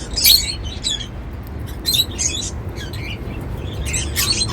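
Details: Cockatiels singing while eating seeds; short bright chirps and squeaky notes in scattered bursts, mixed with sharp clicking sounds and a low background hum.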